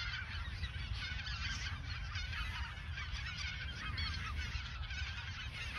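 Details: Geese gathered in the Ochsenmoor nature reserve in autumn 2022 before their southward migration, a busy chorus of honks layered over one another with heavy background rumble.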